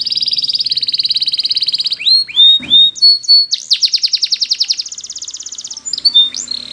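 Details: Belgian canary in full song for training canaries, opening with a long steady rolling trill, then a few slurred whistles and a fast bright trill before a higher sustained trill.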